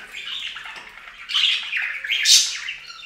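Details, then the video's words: Budgerigars taking a fountain bath warble in soft, continuous, scratchy chatter that grows louder in the second half, capped by a sudden harsh burst that may be splashing. "Best Budgie Bath EVER! + Budgie sounds"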